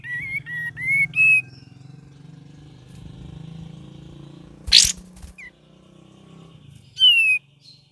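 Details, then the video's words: A cream-vented bulbul gives a quick run of clear, bubbling whistled notes, then a sharp harsh burst midway, then one falling whistle, over a low background hum. "KAPAS TEMBAK VARIASI GACOR DAN NGERIWIK"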